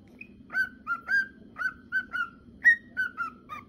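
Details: Male cockatiel whistling: a short high note, then a lively string of clear whistles, some level, one sharp rising note and several drooping slurs, about four notes per second.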